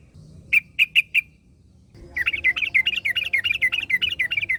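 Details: Yellow-vented bulbul in the wild, with another bulbul replying. Four loud spaced chirps are followed by a long, rapid, bubbling chatter of wavering notes over a faint low rumble.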